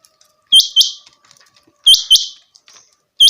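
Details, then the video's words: A changa quail, one of two caught before the hunting season had begun, gives sharp, high two-note calls, a quick bright double chirp repeated about every one and a half seconds, with nothing else heard. "sound of changa quail /Chinga batair audio awaz /Chinga batair ki awaz"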